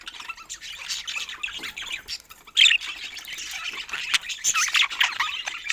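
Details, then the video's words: Pet budgerigars playing together keep up a steady high warbling twitter, broken by one loud harsh squawk a little before the three-second mark, then more chirpy chatter. "Adorable Budgies Playing Together"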